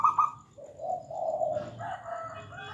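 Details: Zebra dove (local perkutut) cooing: a brief rippling note, then a low sustained coo and a wavering higher tail, over a faint background hum.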